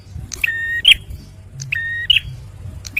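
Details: Two phrases from a male bar-winged prinia, a lure for stressed birds: each opens with a click, holds a plain steady whistle, then flicks up into a bright twisted note. A soft low drone sits underneath.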